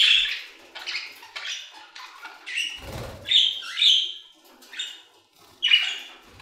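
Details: Budgerigars in an aviary giving softer scattered chirps and short buzzy warbled phrases, with a few louder squeaky notes and a low thud.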